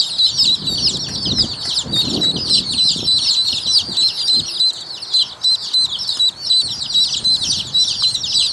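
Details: Rouen domestic ducklings (Anas platyrhynchos domesticus) peeping together in a dense, high, overlapping chorus of rapid cheeps, with soft low rustling and bumping underneath.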